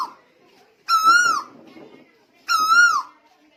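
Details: Tuwu bird from Lombok, recorded in 2021, giving two loud, rich whistled notes about 1.6 seconds apart, each a level then falling slur with strong overtones, lasting about half a second, over quiet background rustle.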